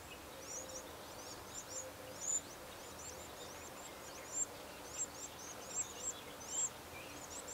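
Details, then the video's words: Nest of Eurasian wren young, 15 August 2011: a continuous stream of high, thin squeaking calls, many voices overlapping, louder sharp peaks every second or so, light hiss behind. "Nichée Troglodyte Mignon"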